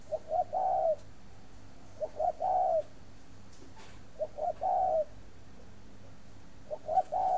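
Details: Spotted dove, a breeding bird kept in Ba Vì, Hanoi, Vietnam, coos rhythmically, four phrases of quick short notes leading into a sustained low coo, roughly one phrase every two seconds, light clicks in the background.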